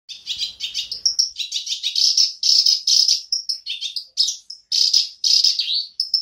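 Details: Black-browed reed warbler singing again after a quiet spell: a dense, scratchy run of rapid chattering notes, harsh buzzy phrases broken by short thin whistles, continuing without pause for six seconds.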